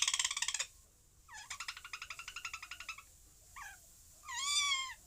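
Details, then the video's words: Parrot voice: a harsh buzzy burst, a long stuttering series of rapid pulsed notes, then a quick rising whistle and a drawn-out wavering squawk. "Parrot Sounds"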